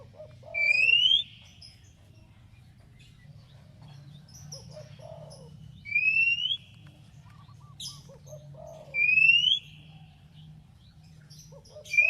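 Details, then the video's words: Oriental magpie-robin song played to provoke a rival into answering: a rising whistle repeated about every four seconds, each preceded by soft low notes, with faint high ticks between phrases and a steady low hum. "SUARA BURUNG KACER TOKCER MEMANGGIL LAWAN NYAUT"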